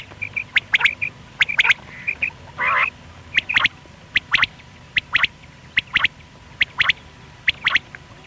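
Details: Pakistani quail (batair) morning call: sharp, clipped, high notes in quick pairs and triplets, repeating about every second, with a faint steady hum behind.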